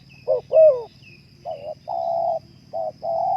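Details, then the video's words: Terkukur, the spotted dove, heard in a short burst of cooing for breeding-condition therapy: a brief note, a louder curved coo, then two long flat hollow coos, with a faint high whine behind. "terapi suara naikan birahi burung terkukur"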